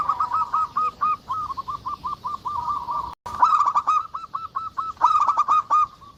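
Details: Prolific local zebra dove, played to spur lazy doves into song: quick staccato coos repeat in an even stream, pause briefly, then return stronger with brighter, ringing notes.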